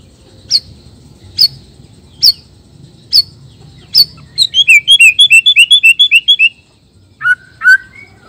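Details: Nias black-tailed white-rumped shama, male, singing to rouse rival males: sharp high single notes about once a second, then a rapid rhythmic burst of bright whistled notes, ending with two lower whistles.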